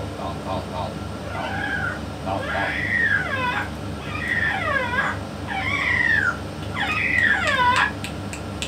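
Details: Yellow-naped amazon parrot vocalizing with a parrot expert: a string of clear, arched, rising-then-falling whistled notes about every second, loud and tonal, over a steady low hum.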